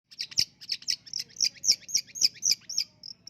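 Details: Champion contest long-tailed shrike singing a fast run of high, sharp chirps, about four per second, each note bright and slightly varied, ending in two thinner, steadier whistled notes.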